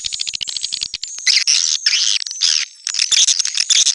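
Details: Swiftlet chorus, 'netral' (neutral) sound style: a quick series of dry clicking rattles opens, then loud, dense, high twittering from many birds with short gaps, and a thin steady whine behind.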